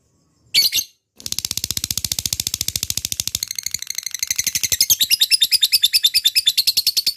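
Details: Lovebird 'ngekek' chatter used as a lure for fighter birds. A short shrill burst comes first, then a fast pulsing high rattle that weakens briefly and swells louder and brighter over the last two seconds.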